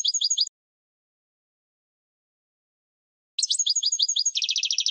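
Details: European goldfinch song played for training other birds: short bursts of rapid high tinkling notes with trills, a brief phrase then a long silence before a fast rattling twitter.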